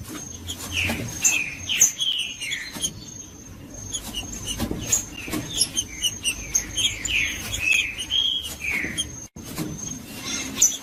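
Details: Judas-style song of a green-winged saltator, meant to stir a silent bird into singing: bursts of rich whistled notes, each slurring down, grouped in quick runs over a constant high whine and ticking clicks.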